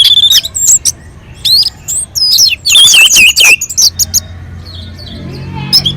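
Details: Orange-headed thrush singing on a mountain slope, song meant to lure other birds into singing; scattered high whistled phrases build to a loud warbling burst, then fade to a quiet end.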